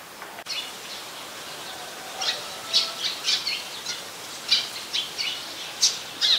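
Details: Olive-backed sunbird in mangrove forest at the Sirinart Rajini centre, giving short, sharp, high chirps in irregular bursts, roughly one or two per second, over a steady background hiss.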